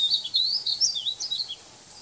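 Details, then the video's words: A male Painted Bunting, recorded July 24 2020, sings a quick, high, sweet warble of slurred notes lasting about one and a half seconds, with nothing else heard. "Male Painted Bunting"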